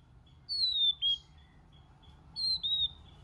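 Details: White-rumped shama singing in many voices. Two long, high, pure whistles each glide slowly downward and are separated by a short silence. Faint background hiss is the only other sound.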